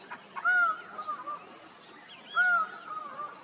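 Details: Costa Rican laughing falcon calling to others, two loud arched notes with softer trailing tones, spaced two seconds apart, against a quiet hissing background.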